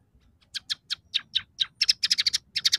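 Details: Scaly-breasted munia singing a song said to hold fill-in phrases of house sparrow, red siskin and canary: a run of short, high, sharp chirps, slow and spaced at first, then quickening into a tight rapid burst.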